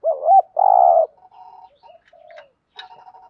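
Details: ["Spotted dove 'thúc gù' cooing for enticing wild doves: one looped double note leading into a long buzzy coo, followed by quiet fluttering notes and faint clicks."]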